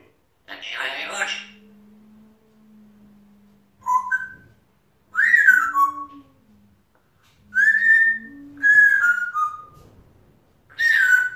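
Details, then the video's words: Male pet African grey parrot chattering to himself indoors: a raspy burst, then clear whistled notes, some sliding downward and some in paired steps, spaced a second or two apart, over a faint low steady hum. "Wee rubin having a chatter to himself"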